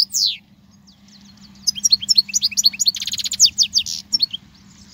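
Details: European goldfinch singing, a song used to teach young goldfinches: one sharp descending note, then after a pause a fast run of high twittering notes and buzzy trills, with a faint low hum behind.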